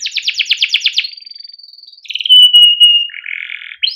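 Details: Canary raised by its keepers, singing a long 'cuit cuit' song meant to prompt young canaries: a fast chattering trill, a long pure held whistle, then lower buzzy sustained notes.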